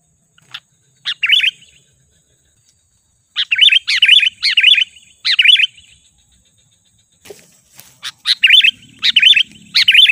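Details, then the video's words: Sooty-headed bulbul lure call aimed at drawing in wild birds. Irregular phrases of twisting, bubbly double and triple notes, a brief pause, then a busier stretch of sharper chirps with faint low rumble. "Suara Pikat Kutilang"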